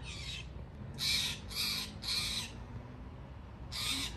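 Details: A loud Steller's jay in a tree near crocosmia in a Seattle yard gives five harsh, raspy, squawking calls, mostly about half a second apart with one longer pause, over a low background rumble.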